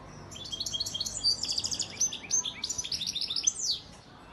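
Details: A European goldfinch breeding male from Antalya, Turkey, recorded 2018, delivers a continuous run of quick, high-pitched liquid twitters and chattering notes over four seconds, finishing with a sharp downward-sweeping note.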